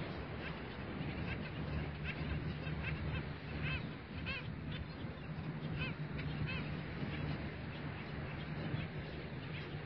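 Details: At daybreak on a beach bird sanctuary, a flock of skimmers gives clear nasal, arched barking notes in loose bursts, some paired, over constant low rumbling surf and wind.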